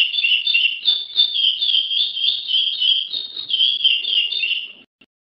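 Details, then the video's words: Chestnut-bellied seed finch singing: a fast, continuous stream of bright whistled warbling notes, rapidly alternating in pitch and sustained for nearly five seconds before stopping abruptly, with no other sounds. "CURIÓ 01 (CANTO)"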